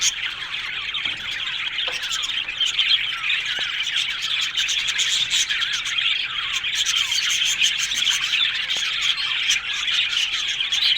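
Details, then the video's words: Budgerigar colony in an Australian bird aviary: a long, dense chorus of twittering and warbling, fast chirps and scratchy notes piling over one another at a steady level. "One Day Parakeet's Sounds Budgies Love Birds HD Sounds"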